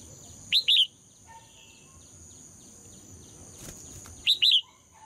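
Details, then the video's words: Red-whiskered bulbul female song to provoke male singing: two bright paired whistled phrases, nearly four seconds apart, each of two quick curling notes, with a soft background hum. "นกหัวจุก birds - เพลงนกตัวเมียเพราะดี ชวนให้นกตัวผู้ร้องอย่างแรง"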